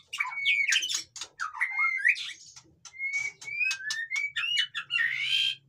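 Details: Noisy white-rumped shama song meant to stir silent caged shamas: quick sequences of clear rising whistles alternating with dry clicks and chattering notes, ending in a harsh buzzy burst.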